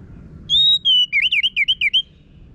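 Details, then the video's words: Orange-headed thrush (anis merah) song recording used to train caged birds to sing, from northern Bali: a long steady whistle followed by a rapid series of looping, warbling whistled notes, clear and loud over a quiet background. "Pancingan ANIS MERAH Gacor Suara Kasar Ini Membuat Burung Ikutan Ngeplong"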